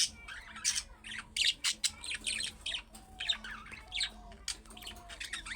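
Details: Budgerigar chattering meant to prompt answers from pet budgerigars: loud, rapid harsh chirps and squawks in quick succession, with short whistled slides in between.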